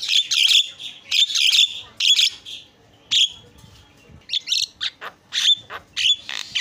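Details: Very noisy caged Javan myna used to train other cage birds, giving loud grating squawks with whistled overtones in clustered phrases, a brief lull, then renewed harsh chattering and whistles.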